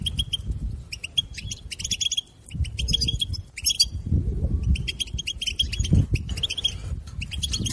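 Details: European goldfinch song used to stimulate a captive goldfinch to sing: rapid bright twittering bursts of high chirps and trills, pausing briefly near the middle before resuming, over a steady low rumble.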